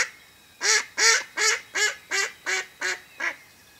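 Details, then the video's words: Mallard hen kept as a live decoy to lure wild ducks during a duck hunt; eight loud, harsh, nasal quacks in a steady run, roughly three per second, the last ones slightly softer. "Ducks hunting by mallard Hen"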